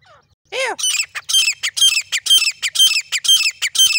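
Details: Grey francolin, offered as male and female birds: loud, harsh, ringing call phrases repeated about twice a second in a steady rhythm, opening with a lower rising note, with no other sounds.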